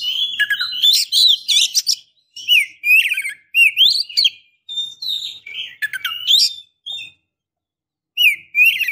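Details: Oriental magpie-robin female in breeding condition calling a male with a long, lively series of high chirps, upslurred whistles and sharp notes in quick bursts, ending after a short pause.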